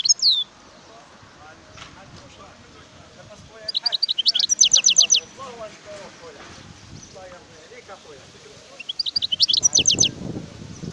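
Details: Wild European goldfinch giving high twittering bursts with fast repeated chirp runs, a short note at the start and two longer phrases, while softer lower chirps and some background noise fill the pauses.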